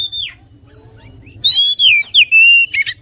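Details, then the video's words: Brief falling whistle from an oriental magpie-robin, a pause, then a loud run of sweeping, dropping whistled notes and a final buzzy note. "PASTI TERPANCING EMOSI DENGAN KICAUAN INI LANGSUNG KONCER"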